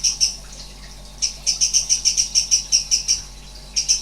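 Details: Strange-sounding 'nembak' song of a sooty-headed bulbul (cucak cungkok): two high notes, a pause, a steady string of sharp pulsed notes about four per second, another pause, then the series starts again.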